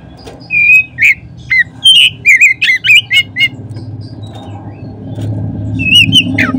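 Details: Lure song of an Oriental magpie-robin, played to prompt other magpie-robins to sing: a long steady whistle, then a quick series of twisting, chirpy notes, with a final slurred whistle after a gap. Low rumble grows toward the end.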